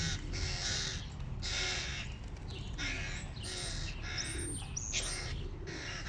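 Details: Begging from hungry hooded crow young at the sight of the adult male carrying food, rough scratchy squalls repeated in quick bursts, some ending in thin high squeaks, with low rumbling noise throughout.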